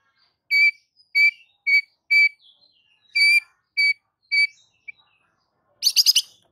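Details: A white-rumped shama gives seven clear, ringing whistled notes about every half second, then ends with a brief burst of harsh, buzzy high notes; a bird used to provoke other shamas into singing.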